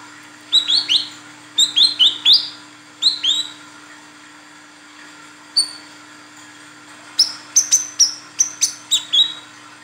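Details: Female olive-backed sunbird calling the male, used as a lure: sharp high chirps with upward-flicking tails, given in quick clusters of two to four separated by short pauses, over a faint steady electrical hum.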